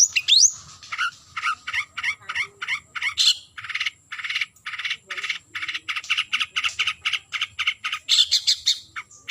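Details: Long-tailed shrike calling a rival with a steady run of short, harsh, grating chattering notes, about three per second, bracketed by a few higher squeaky notes.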